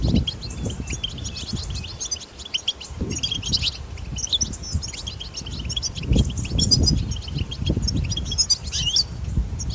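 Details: Wild European goldfinch in betbeta-style song, recorded outdoors to get goldfinches singing: high, rapid chirping phrases, some louder bursts, broken by short gaps, with a strong low rumble underneath.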